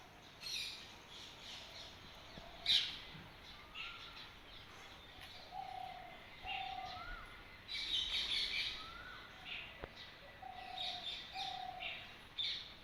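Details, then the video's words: Birds chirping early in the morning: repeated soft rising whistles and short low whistled notes alternate with clusters of high-pitched chirps and a few sharp tweets, against steady ambient hiss. "Early morning # Birds # chirping"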